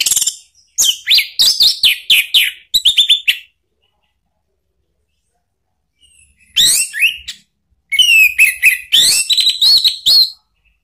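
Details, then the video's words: Orange-headed thrush lure song in ngeplong style to provoke a kept bird's answer: busy phrases of rapid sharp notes and slurred whistles, a quiet gap of about three seconds, then two more energetic mixed runs. "jangan heran kalau ANIS MERAH mu seketika NYAUT ¦ PANCINGAN NGEPLONG"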